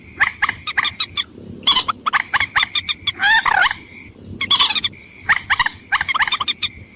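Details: Lure call of the white-breasted waterhen, meant to bring in both sexes. Dense, grating notes repeat in quick succession, broken by a few longer wavering squawks near the middle. A thin steady tone persists underneath.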